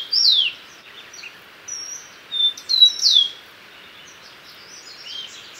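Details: Common tody-flycatcher giving high, sharp downward-slurred whistles, one at the start and a clustered pair near the middle, with faint chips between them over a quiet background hiss.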